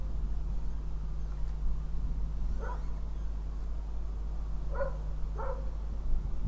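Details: Northern goshawk in Riga, morning of 19 February 2017, gives three short, nasal, harmonic calls spaced a second or two apart, described as mating sounds, over a steady low background hum.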